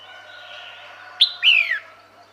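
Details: A female red-whiskered bulbul calling to lure males gives a bright squeak followed by a drawn-out, descending whistled slur, against a low steady hum.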